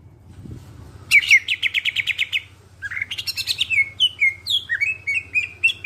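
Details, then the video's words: Greater green leafbird singing clearly, used as a lure to get other birds singing: a fast series of buzzy rhythmic notes, then varied whistled phrases and slurred downward notes, with a low steady hum behind. "Cucak ijo suara jernih, pancingan biar cepat gacor"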